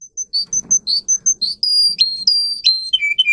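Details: Canary song for training other canaries: short clear whistled notes repeated at a brisk pace, then longer sliding whistles that drop in pitch, ending in lower quickly repeated notes, with light rustling underneath.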